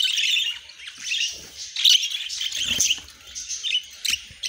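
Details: Pet budgies twitter and squawk in quick high bursts, several sharp chirps standing out over a continuous warbling background.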